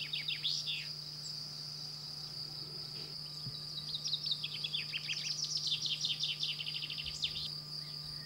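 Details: Common chaffinch singing in France, with male and female both stated as present: a descending cascade of sharp notes accelerating into a terminal flourish. A constant high insect drone and a steady low hum run underneath.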